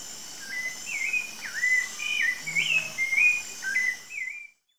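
A rufous-bellied thrush sings a run of clear, fluting whistled phrases, each rising or dipping, about two per second, over a steady insect hum.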